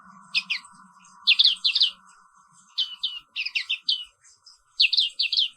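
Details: Black-capped white-eye singing in the morning: short clusters of two or three bright high chirps, repeated every second or so, over a constant low electrical hum.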